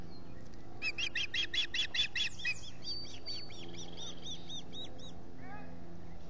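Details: Ospreys at a camera-watched nest at Salt Point, Finger Lakes, three birds present in July, giving a rapid string of shrill whistled chirps that shift into thinner falling notes, with steady background hum.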